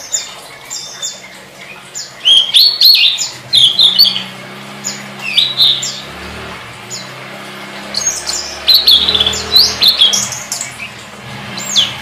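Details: Master song of a Tledekan for training songbirds: repeated bursts of rapid, high, chattering whistles and squeaky slurs, with brief pauses between them, over a low droning hum in the background.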